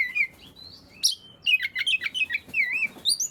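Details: Song of an Oriental magpie-robin meant to get silent magpie-robins singing: a long sliding whistle, a sharp high chip, then a fast chattering sequence of warbled, wavering notes.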